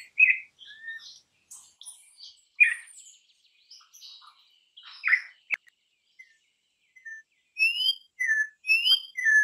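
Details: Campo troupial song of varied whistled notes mixed with scratchy chirps and brief pauses, ending in a quicker run of clear upslurred whistles.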